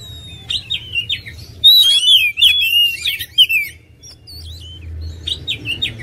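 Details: Oriental magpie-robin, song used to excite other birds: scattered whistled notes building into a busy burst of varied slurs and trills, then sparser zigzag whistles over a low hum.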